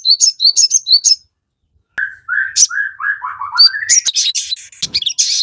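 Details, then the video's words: Crested jay singing to provoke a response from other birds. Quick high chirps are followed, after a pause, by a series of lower whistled notes stepping downward, then a busy mix of sharp high calls. "sogon GACOR FULL KICAU, Pancingan sogon JADIKAN burung cepat bunyi langsung nyaut ngamuk"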